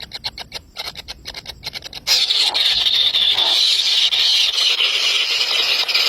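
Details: Three hungry baby birds begging: about two seconds of fast, evenly pulsed high chirps, then a dense, unbroken high-pitched squealing chorus that holds steady to the end.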